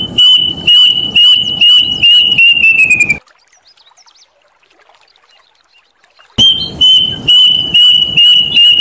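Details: Plaintive cuckoo, called cirit uncuing or emprit gantil locally: evenly spaced high whistled notes that sag in pitch and hurry toward the end, then a quiet stretch of about three seconds before the steady whistled series resumes.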